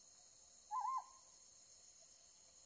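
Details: Under a light at night, a Ryukyu scops owl gives one brief quavering hoot that wobbles up and down before fading, accompanied by faint periodic high ticks; captured with a Z9 and 500 mm lens.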